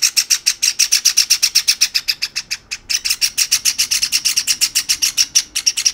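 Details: Begging from one another rather than eating on their own, a pair of caged Java sparrow chicks, one white and one sakura, give a fast, steady stream of bright, piercing chirps with a single brief break.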